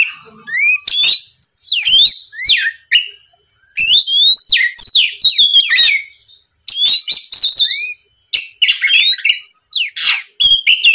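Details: Lure song of an Oriental magpie-robin, played to goad a rival bird into replying: rapid, varied phrases of sharp downslurred and upslurred whistles mixed with scratchy clicks, delivered in bursts separated by short pauses.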